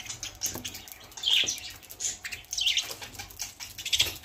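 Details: Pet budgerigars eating coriander leaves give short, bright chirps among soft rustling and clicking.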